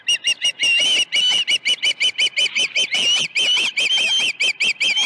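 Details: Osprey calling at the nest at Dunrovin Ranch, 21 August 2019, morning of two fish deliveries: a rapid, insistent series of piercing whistled chirps, about three per second, with some longer slurred notes.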